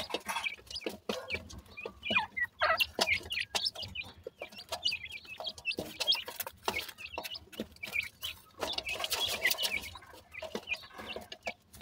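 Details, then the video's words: Dakhni teetar francolin chicks calling while playing and crossing, morning: rapid bright chirps and thin high peeps from many young birds, irregular and busy, louder bursts toward the end, faint low hum beneath. "titar cheks ke voice"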